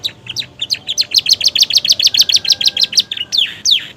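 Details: Domestic canary in new plumage, singing with imitations of ashy prinia and bar-winged prinia, delivers a fast, high run of sharp chirps repeated about five times a second. It ends with a couple of sweeping, buzzy notes.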